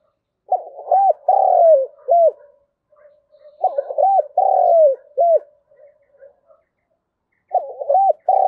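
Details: Decoy spotted dove calling in the morning to draw in wild doves: low, mellow three-part phrases, a quick double coo, a long burry coo sliding down, then a short final coo, given twice with a third phrase starting at the end.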